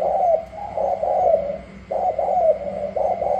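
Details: Spotted doves from Cà Mau, Vietnam, a newly wild-caught bird pitted against other doves: mellow, hoarse coos in phrased bursts, roughly one per second, with a short pause mid-clip and a steady faint hum behind.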